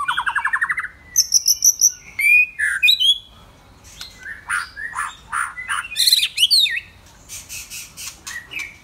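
A white-rumped shama sings a rich, varied medley: a rapid rolling trill, then clear fluting whistles, sharp chips and buzzy notes, changing phrase every second or so.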